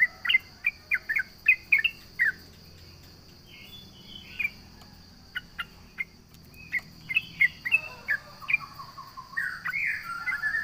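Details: Yellow-vented bulbul singing to provoke rivals: quick series of sharp chirps, a quieter gap with scattered notes, then livelier chirping with a lower chattering run, over a steady high-pitched hum.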